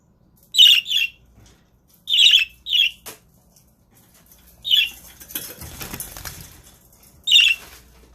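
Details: Budgerigars streamed live: several quick, grating squawks, some in close pairs, spread over eight seconds, with a stretch of clattering and rustling noise in between.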